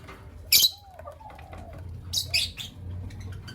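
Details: Creamino and Lutino Opaline lovebirds calling in the morning: a sharp, harsh, high chirp, then a cluster of three rasping chirps a second and a half later, with a soft, low, wavering whistle between them and a low background hum.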